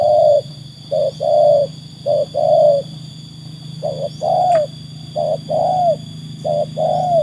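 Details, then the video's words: Tekukur, a trained spotted dove proven against wild birds, gives repeated mellow coos in short-then-long pairs. The longer note bends gently downward. A steady electrical-like hum runs underneath, with one brief click midway. "kualitas burung tekukur ajaran sudah teruji oleh burung liar"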